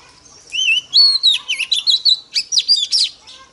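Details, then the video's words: Female Oriental magpie-robin singing, a call used to excite males: a quick string of clear, varied whistles and sliding chirps, about a dozen notes in under three seconds, high-pitched and bright. "Choè than mái kích trống hay nhất"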